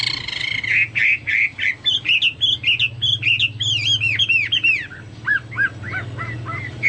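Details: Chinese hwamei singing vigorously, its song likened to cucak Papua or cucak mas: a run of loud whistled notes that loop and slur between rising and falling pitches, delivered in quick succession with a low hum in the background.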